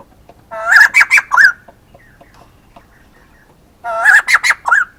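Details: Male white-crested laughingthrush giving two loud bursts, about three seconds apart. Each burst is a fast run of four or five harmonic, chattering notes that rise and fall, with near silence between.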